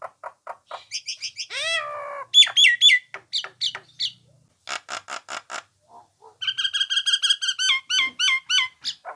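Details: Common hill myna song used to train songbirds: clear whistled notes, a long descending slur, loud harsh bursts and a closing run of repeated bright whistles at a steady quick pace.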